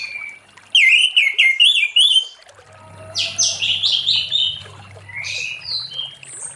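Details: Orange-headed thrush in late-afternoon song meant to draw other thrushes into singing: a run of bright, rapidly repeated whistled notes with sharp upward flicks, then a looser stretch of varied chirps and slurs, with a faint low hum beneath.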